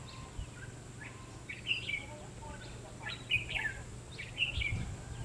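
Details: Red-whiskered bulbul at a trapping site using a decoy, 22 February 2016. Brief, chirpy whistled phrases repeat about every one to one and a half seconds, with faint notes in between and a steady background hum.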